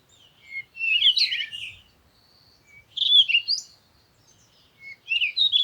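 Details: Bird song in three bursts of quick, jumbled chirps and warbles, high-pitched and varied, separated by short pauses, with a thin sustained whistle between the first two phrases; background otherwise quiet.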